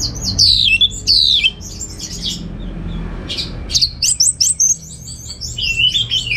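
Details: Orange-headed thrush kept in a home in Singaraja, North Bali, singing to lure and tutor songbirds; loud descending whistled slurs, brief pauses, then quick chattering bursts and a final falling whistle, with soft background hum.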